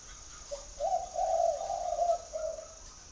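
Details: Spotted dove at a bird garden in Ba Vì district, Hanoi, Vietnam, giving one drawn-out phrase of mellow, low cooing notes that run together for about two seconds, then fade; a faint constant high hiss underneath.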